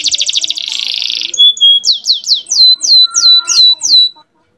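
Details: Canary singing to bring hens into breeding condition: a pulsed high trill merging into a buzzy rattle, then a pure whistled tone and a steady series of about eight descending swooping notes before silence.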